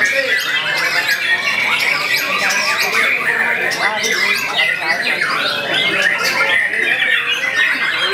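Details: A young white-rumped shama works hard through a non-stop song. Quick whistled phrases and harsh, squawking notes tumble over each other, with people talking and other birdsong close behind.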